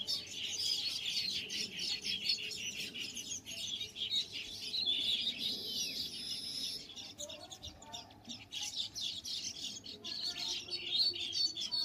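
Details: Colony of countless baya weavers nesting on a date palm inside a riverside resort at Shantipur on the Ganga, chirping constantly: a dense, high, buzzy chatter of many birds overlapping without pause.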